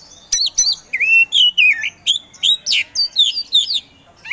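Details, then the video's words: Kacer poci Oriental magpie-robin singing a steady, loud stream of varied whistled notes, slurred up and down, about three per second, before falling quiet. "KACER POCI GACOR SANG PROVOKATOR"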